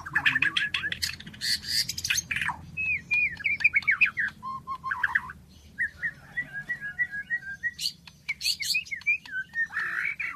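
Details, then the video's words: White-rumped shama song with fast chattering trills, short looping whistles and a run of evenly repeated notes, over a steady low background hum. "Beginilah kicauan MURAI BATU SUPER"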